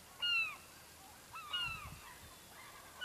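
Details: Seagulls by a fishing village in Norway's Lofoten islands; two loud, drawn-out, downward-bending cries about a second apart, softer gull calls between, low rumbling background.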